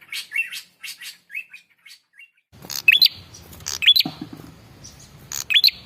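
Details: Lure call of a male red-headed prinia meant to make other birds answer. Scattered short chirps and brief whistles give way to loud harsh bursts with quick rising whistled notes, repeated three times.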